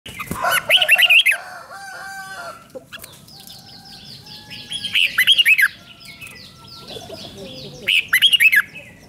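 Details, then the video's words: Red-whiskered bulbul (nok krong hua chuk) song played to rouse caged birds: three bursts of quick, slurred whistled notes bunched into short rippling phrases, separated by quieter background chatter and faint high chirps. "เสียงนกกรงหัวจุก ร้อง ริก เปิดให้นกฟัง ยั่วให้นกคึกจัด"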